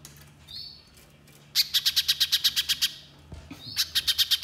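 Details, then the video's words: Little spiderhunter vigorous song: a short rising whistle, then a quick string of about eleven hard clicking notes, a thud, and another whistle leading into a fresh burst. "Pancingan Pijantung Pisang Gacor Agar Pijantung Bahan Cepat Bunyi Nembak Mbeset Rapat"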